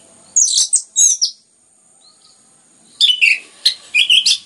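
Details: Orange-headed thrush (anis merah) singing densely and nonstop, a recording meant to stimulate other birds to sing. Two bursts of high, rapid, buzzy-warbled phrases, a quiet pause, then a longer run of sharp chattering notes.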